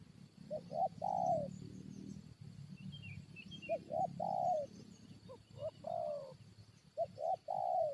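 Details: Spotted dove calling while being lured to fight wild birds. Soft, mellow coos come in short two- and three-note phrases, each ending in a longer, slightly falling croon, repeated every few seconds over low rural background rumble.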